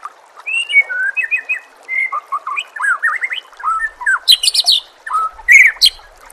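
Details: White-rumped shama singing in a training recording set with nature sounds and trickling water: a rapid, varied run of clear whistled phrases, rising and falling slurs and short trills, ending in sharp, high chipping notes over a soft steady hiss.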